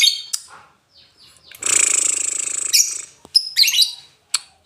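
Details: Lovebird, Indonesia, singing ngetik, ngoek and ngekek: a few high notes and soft clicks, then a steady, loud, buzzy rattling trill lasting over a second, followed by scratchy squeaks and a final sharp tick.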